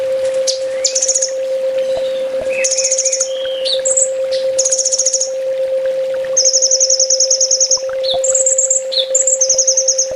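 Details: Sunbird master song for training: high chirp runs and lower sliding notes early, then long, evenly pulsed rattling trills at high pitch, with a constant hum beneath.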